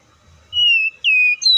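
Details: Oriental magpie-robin song phrase of clear, drawn-out descending whistles, one following another, with a faint low rumble before the first note.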